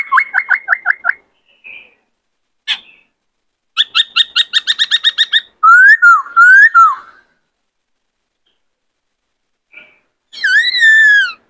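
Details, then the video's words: White-cheeked laughingthrush in varied song: a quick run of down-slurred notes, a sharp chip, a rapid stuttering series, then loud, rich rising-and-falling whistles; used to train and stimulate young birds to sing. "Khướu bạc má hót nhiều giọng hay"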